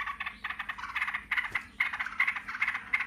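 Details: Noisy yellow-vented bulbuls calling back and forth in 'ngebren' style: rapid clipped chattering notes grouped into short bursts with brief gaps between them.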